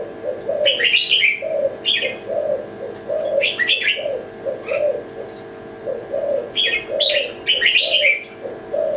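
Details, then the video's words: Kelantan-type spotted dove cooing in a steady series of soft, low, rounded notes, overlaid by bursts of high, twittering chirps from other birds. "Jenis Burung Tekukur Kelantan"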